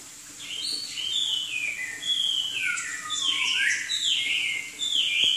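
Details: Southern Chinese hwamei in full song: a rapid run of varied whistled phrases, many sweeping down then up, loud and continuous with hardly a pause, over a soft steady hiss.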